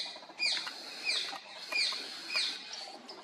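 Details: Male orange-headed thrush of the citrina race in India: loud, clear whistled phrases that swoop downward, repeated about every seven tenths of a second, four in a row, over faint background hiss.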